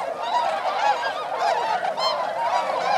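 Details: Wintering swans, around 905, flying over paddies in Inzai, Chiba, Japan, December 2014; loud close chorus of bugling honks with rich harmonics, overlapping and rising and falling, no gaps.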